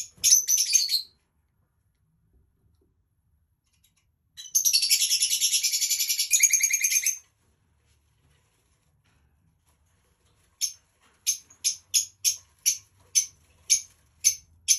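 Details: Dark olive lovebird calling in three bursts: a shrill chirp, a long run of rapid, buzzy, high-pitched chatter, then a series of sharp single chirps repeated roughly every half second, with silence between.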